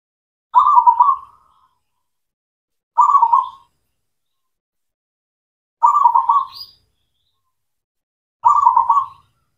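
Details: Local zebra dove song played to stimulate silent doves into singing: four evenly spaced, stuttering cooing phrases about two and a half to three seconds apart, each with a quick trilled texture, faint chirps overhead.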